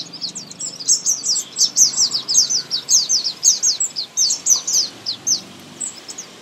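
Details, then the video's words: Thrush nightingale singing in spring: a fast series of short, high, sharp chirping notes, repeated nearly two per second in bursts with brief pauses, over quiet background. "Singing nightingale"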